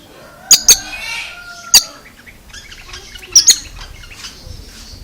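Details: Oriental magpie-robin making an unusual, strange sound: loud sharp harsh notes in pairs and singles, with soft varied chirps and a faint level whistle between them.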